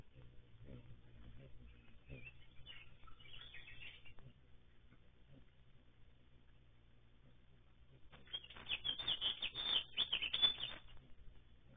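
A Baltimore oriole gives a few scattered high notes, then a harsh, rapid chatter of dry notes for about three seconds, over a steady low hum.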